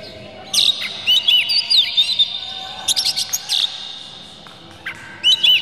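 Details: Oriental magpie-robin song meant to rile other magpie-robins into singing: clear looping whistles and crisp clicks grouped in quick phrases, then a quieter gap before another burst near the end.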